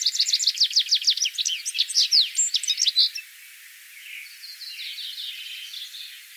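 A Citril finch sings a fast, high, jingling twitter of tinkling notes for about three seconds, then fades into softer, thinner twittering.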